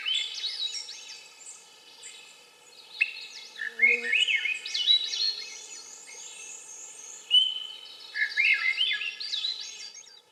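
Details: Song of a Swainson's thrush, with airy, fluty phrases spiralling upward one after another, partly running together, with a brief low tone near the middle and a soft steady hum beneath.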